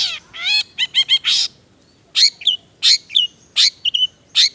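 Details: Mimicry-laden semi gacor isian song of a long-tailed shrike: a harsh opening, a rapid stuttered triplet, then sharp paired notes with whistled tails repeated at a steady pace.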